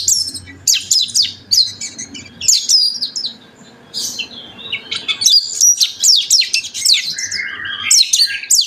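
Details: Oriental magpie-robin in full, energetic song, played to spur other magpie-robins into singing: rich mix of sweet whistles, rapid chattering notes and harsh bursts, delivered in dense irregular runs with short pauses.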